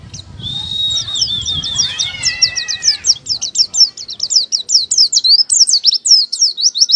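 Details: Oriental white-eye singing a 'buka paruh' (open-beak) song: begins with a long thin whistle, then quick high zigzag notes tumbling in a lively, unbroken chatter, with a faint low hum early on.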